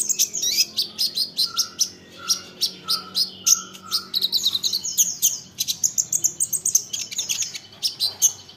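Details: Rapid, high-pitched olive-backed sunbird twittering, meant to prompt other sunbirds to respond, with sharp clicking chips and four short, flat, lower whistles near the start.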